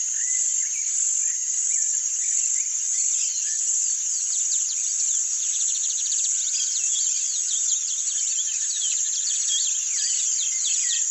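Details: Rusty-collared seedeater singing the "grego" song type: rapid series of high buzzy notes and descending trills in steady repetition, over a constant loud high-pitched hiss of insects.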